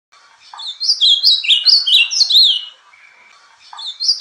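Ultramarine grosbeak singing its Bahia-style song: a quick two-second run of clear, sliding whistled notes, then a short pause before the next phrase starts.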